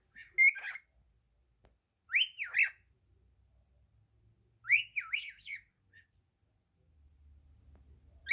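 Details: Pet cockatiel sings repeated whistled phrases with swooping zigzag notes, three main bursts roughly every two and a half seconds, a low rumble rising at the end.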